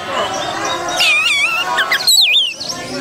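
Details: Oriental magpie-robin (kacer) song played as a lure recording. Varied warbled whistles wind up and down in quick loops. A loud twisting high phrase comes near the end over a murmur of background noise.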